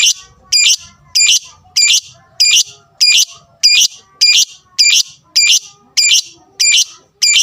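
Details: Lovebird fighter sound meant to rile and provoke rivals: a shrill, harsh chirp repeated very steadily about every 0.6 seconds, twelve times, each burst bright and sharp.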